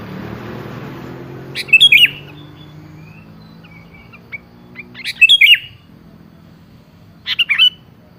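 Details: Sooty-headed bulbul song used as a lure to prompt a rarely singing bird to answer: three short bursts of bright, bubbly warbled notes spaced a few seconds apart over a low background hum.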